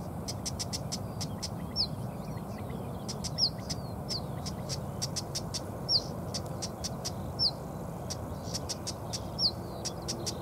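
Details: A female Siberian stonechat, alarmed near her nest, gives thin, sharply falling whistles every one to two seconds among rapid dry clicking ticks, over a steady low rumble.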